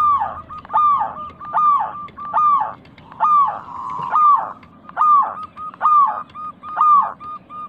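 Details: Local zebra dove recording meant as a lure for birds that have stopped calling. Steady series of rising-then-falling coo notes repeated almost every second, fairly regular, with a low droning background.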